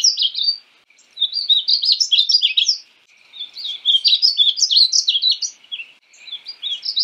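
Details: {'text': 'Painted bunting (Passerina ciris), a North American cardinal-family bird, giving repeated bursts of rapid, high, tinkling warbles separated by brief pauses.'}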